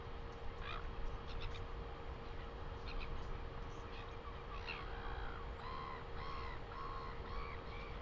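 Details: Northern royal albatross in New Zealand, recorded 12 August 2020: short harmonic braying notes, sometimes rising and falling, come in loose bursts in the second half over strong low wind rumble and a steady hum.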